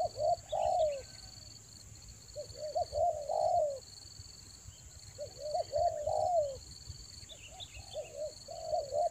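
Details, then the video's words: Spotted dove cooing to lure wild doves during the rainy season: phrases of quick stuttered coos ending in a longer falling note, repeated about every three seconds, with steady high insect-like buzzing and faint bird chirps. "TEKUKUR PIKAT RAJA ANGGUK"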